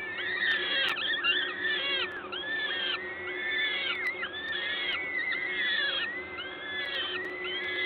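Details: Feeding at a peregrine falcon nest in Gdańsk, Poland, on 14 May 2022, 11:07. Arched, wheezing calls repeat steadily about once a second, with several birds overlapping and a steady low background hum.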